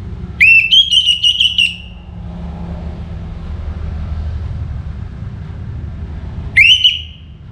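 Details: Orange-headed thrush, sung before morning: a rich whistled phrase with several quick warbled notes, then a long gap with a low rumbling background, and a second shorter whistled phrase near the end.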